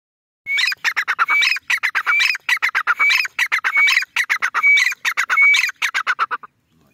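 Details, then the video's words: Grey francolin, a female, gives a loud run of sharp, harsh repeated notes in quick bursts, rising slightly in places, continuing for about six seconds before stopping. "female teetar awaz"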